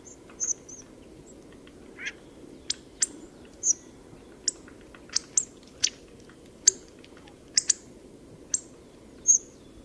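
Hawfinch giving sharp, very high, clipped 'tzik' notes, about one a second at an uneven pace, over a low steady rumble.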